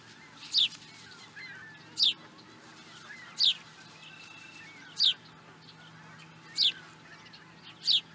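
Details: Osprey calling at Charlo, Montana, USA, in 2017: single high, downslurred whistles repeated about every one and a half seconds over a steady background hiss.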